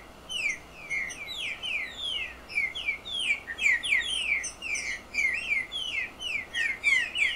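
A Green-winged Saltator sings a lively run of clear, downslurred whistles in quick groups of a few notes each, repeated with barely a pause throughout.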